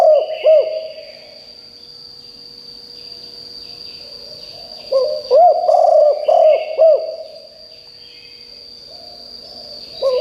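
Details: Decoy spotted dove whose strong call draws replies from wild birds: a few soft coos at the start, then a loud run of rounded notes midway, with faint distant chirping and a steady high hum.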